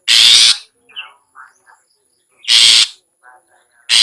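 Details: Ngetet-style sound of a long-tailed shrike, meant to stir lazy cage birds to sing: loud harsh rasps roughly every two and a half seconds, with a few faint short chirps in the gaps.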